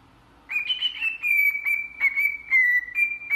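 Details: Cockatiel (Nymphicus hollandicus), song.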